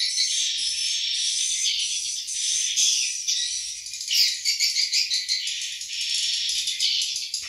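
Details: Breeding-season swiftlets in their nest house, where nests contain eggs and chicks; a steady wash of high chirps, with a clearer run of quick rattling twitters near the middle.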